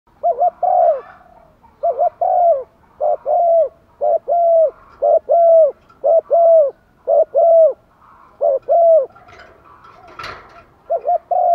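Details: Decoy spotted dove calling to lure wild doves, giving urging and calling coos: a rapid run of short, low, hollow coos, often in doubled notes, about one per second, with a brief noise near the end.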